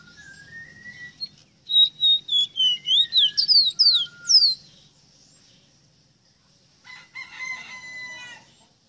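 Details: Singing Rosita bird, giving a lively string of rapid, swooping whistles that rise and fall, about a dozen notes, followed by a pause and softer buzzy chatter at the end.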